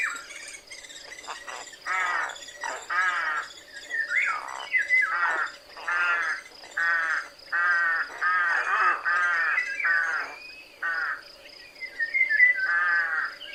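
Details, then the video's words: Rook cawing in a loud, hoarse voice: a long run of harsh, grating caws, each under a second long, repeated in an uneven series with brief gaps and some overlapping calls. "¡Escucha el graznido del GRAJO!"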